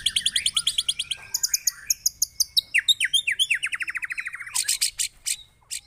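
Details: White-rumped shama song used as a lure to provoke other birds: a rapid, varied run of sharp high chirps, whistles and rattling trills, with falling notes repeated in quick series and harsh bursts near the end.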